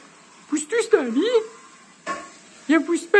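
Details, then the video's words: A two-year-old talking myna imitating words taught by its owners: a few quick bursts of nasal, word-like syllables with swooping pitch, separated by short pauses, over faint indoor room noise. "مرغ مینا سخنگو باهوش"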